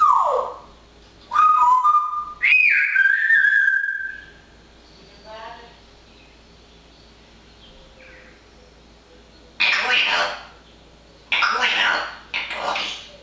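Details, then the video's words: Pet parrot chattering busily in fine weather, giving a falling whistle, a rising whistle held steady, soft quiet mutterings, then bursts of harsh speech-like babble. "Manus de papegaai is wel erg druk met dit mooie weer."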